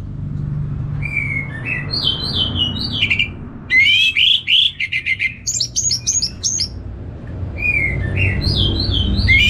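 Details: Caged orange-headed thrush from Singaraja, North Bali, singing loudly for bird-training therapy; slurred whistles give way to a rapid run of sharp, clipped notes, then more sweeping whistled phrases above a low background hum.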